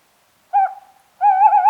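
Tawny owl giving a short hoot, then after a pause a longer, slightly wavering hoot, both clear and mellow in a quiet setting.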